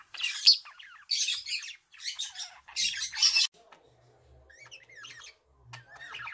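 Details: Male budgerigar: bursts of harsh, hissy chatter in four noisy blocks, followed by softer, thin squeaky twitters and a few quiet low thumps.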